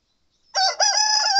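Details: Seven-month-old Satsuma rooster crowing in the morning: a loud, harmonic-rich crow starting abruptly, with a brief break then a long sustained level note to the end.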